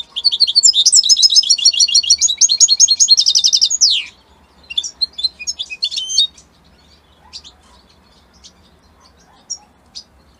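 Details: European goldfinch linked to Italy, singing a loud, fast run of tinkling twittered notes for about four seconds, then quieter scattered chirps and short phrases with pauses.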